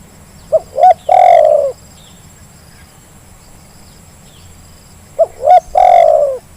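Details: Lure sound of a Zebra dove for birds slow to call: two phrases roughly four and a half seconds apart. Each has paired brief coos and then a long vibrating coo that tapers downward, with long silent gaps between.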